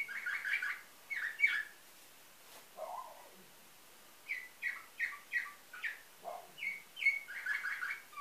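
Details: Canary bred in Varna, Bulgaria, nightingale-type song, fairly quiet with a hissy background; bursts of slurred chirps, low dipping notes after pauses, then a run of evenly spaced short whistles.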